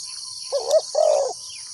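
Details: Single brief phrase from a decoy spotted dove calling wild doves to a trap: a short coo then a longer, slightly falling burry coo, with high insect drone in the background.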